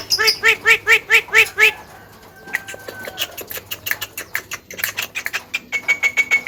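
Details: Javan myna, known for mimicking speech: six loud, evenly spaced nasal laughing notes, a pause with faint slurred whistles, then fast dry chattering and a thin steady whistle near the end.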